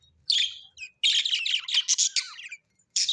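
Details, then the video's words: Chirping pet budgerigars, said to be happy: a rough chirp, then a long continuous chattering warble of scratchy, buzzy notes lasting about one and a half seconds, ending with another harsh chirp. "Happy budgies chirping sound l parakeet's sounds"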